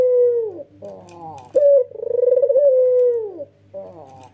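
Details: Energetic nodding 'ngangguk' cooing from a male white Barbary dove with red eyes. A falling coo gives way to a rolling burble, then a bright accented note and a long pulsing coo that fades downward.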